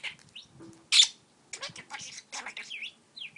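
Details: Pet parakeet flirting with a stylus while talking: scattered chirps, buzzy chatter and a loud sharp squeak, ending in quick V-shaped whistled notes.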